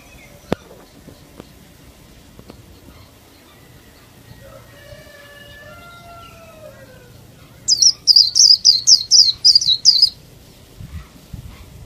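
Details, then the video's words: Sustained lower whistled tones drift along first, then a caged female Oriental white-eye, kept to excite males into song, fires off a tight two-second volley of rapid, piercing high chirps before quiet returns. "Chúa khuyên mái - khuyên mái kích trống siêu líu"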